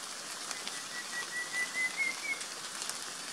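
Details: Rufous-capped antthrush pair building their nest: a short run of about six soft whistled notes, edging upward in pitch, against a steady hiss like rain or rustling.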